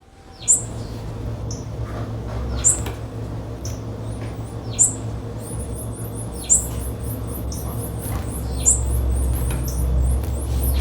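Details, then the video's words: Blue-black grassquit female call used as a warm-up: short, very high chirps repeated at irregular intervals, quickening near the end, over a loud steady low hum. "ESQUENTA TIZIU 10"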